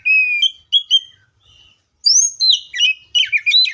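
Oriental magpie-robin singing clear whistled notes, then a faster run of varied sweeping and twittering phrases, bright and high-pitched; nothing else heard.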